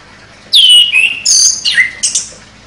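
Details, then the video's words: Loud, clear song of a champion chestnut-capped thrush in sharp 'nembak' style: varied whistled phrases that slur downward, mixed with scratchy high notes, in four quick linked bursts. "ANIS KEMBANG JUARA NEMBAK TAJAM"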